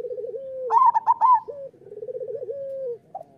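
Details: Local zebra dove in vigorous song, used to train doves: a low rolling trill, then a bright burst of high coos, then more purring trills ending in a short note.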